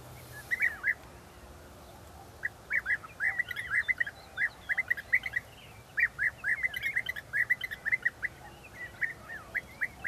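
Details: European bee-eaters, several birds, at Balta in May 2018 (2 May): a dense stream of short rolling, burry calls, many overlapping voices, repeated in quick bursts over a quiet background hiss.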